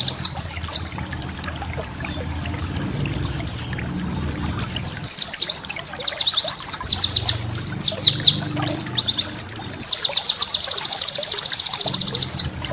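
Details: Master song of a white-eye for teaching caged birds: scattered high twittering notes, then a dense run of quick downslurred chirps ending in a long, even, rattling trill. A soft low drone sits under the quieter parts.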